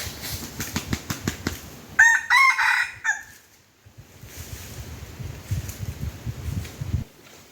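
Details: Red junglefowl lured with a domestic chicken decoy gives a short, loud, harsh crow of several segments lasting about a second, preceded and followed by clattering, rustling knocks and low rumbling noise.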